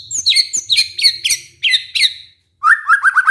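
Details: White-rumped shama lure song, played to stir a stressed captive shama that stopped singing back into song and breeding mood; high sharp notes fall in buzzy repeated bursts, then a lower whistled phrase of quick repeated notes.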